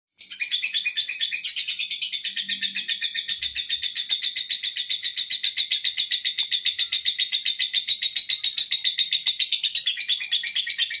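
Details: Lovebird giving a long continuous trill, known as ngekek panjang: a rapid chattering run of high, sharp notes, about three or four per second, sustained without a break for around eleven seconds.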